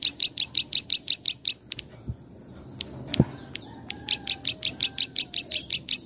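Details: Plain prinia song used as a master recording for training cage birds: runs of rapid sharp high clicks, a brief break with a few scattered notes and a thump, then the clicking series resumes steadily.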